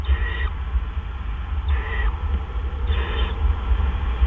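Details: Owl at night, 4:03 AM on April 12, 2013, during a food delivery. Three short, harsh, hissing screeches sound about every 1.3 seconds over a steady low rumble.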